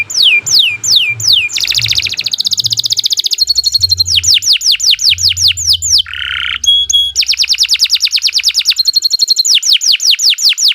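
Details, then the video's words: Canary singing at length, suited as a master song for teaching other birds: falling whistled sweeps, quick rattling trills, steady ringing tones and a brief low buzzy roll, all in rapid sequence with shifting tempo. "Kicau Burung Kenari II GACOR PANJANG Cocok untuk Masteran"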